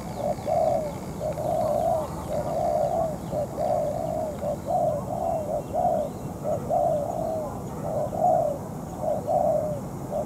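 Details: Spotted dove decoy in molt, used for trapping and calling against a wild bird for over two hours at night; long run of husky coos repeated almost continuously, slightly uneven rhythm, over persistent low noise.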